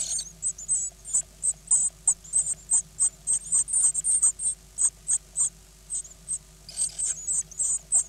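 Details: Nine Great Tit nestlings, hatched 16 May 2010, being fed on 24 May: high, thin squeaky begging notes repeated in rapid bursts, roughly three per second, with short pauses and a faint low hum beneath.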